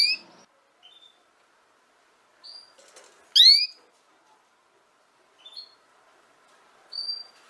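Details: Canary sound for teaching young canaries to sing: a single strong, rising, ringing note midway, surrounded by several faint, short whistled chirps and a brief soft flutter.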